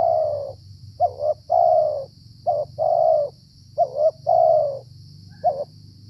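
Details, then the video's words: Wild Spotted Dove cooing during the cold rainy season, when few wild birds call, a caller thought to be the dominant male of its area, heard while being trapped with a decoy; low hollow coos in paired short-long phrases, with a steady hum behind. "TEKUKUR LIAR INI LUAR BIASA"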